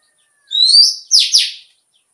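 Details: Oriental white-eye song recording used to stimulate birds into competitive singing: a brief, high, rising buzzy-whistled phrase, then two quick sharp twittering notes, all within about a second, on a quiet background.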